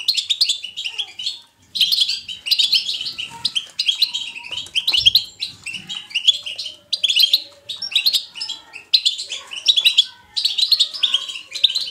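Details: Natural, lively European goldfinch batbata song. Bursts of quick chirping and buzzy twittering repeat roughly every second, with a few faint lower tones behind them.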